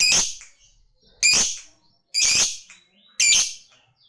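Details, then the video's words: Lovebird calling a rival: four loud, harsh, high screeches, each about a third of a second long, repeated roughly once a second with quiet gaps between them. "Suara Burung Lovebird Gacor Ngekek Memanggil Lawan, SANGAT AMPUH bikin Lawan ikut Ngekek Panjang"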